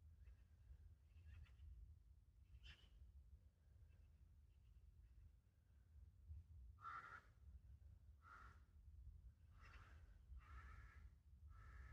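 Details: Carrion crow family in the wild: a few soft, faint calls early on, then a run of five hoarse, nasal caws from about seven seconds onward, spaced one to two seconds apart, over low rumble.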